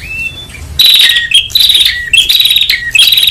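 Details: Prinia calling loudly, used as lure audio: a faint whistle, then strident trilled buzzes each followed by a dropping whistled note, repeated four times in quick rhythm.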